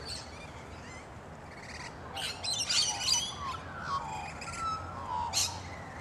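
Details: In a small park one morning after overnight rain, rainbow lorikeets hanging upside down in trees give harsh, grating screeches in short bursts, while a magpie's lower, fluting warble runs through the background.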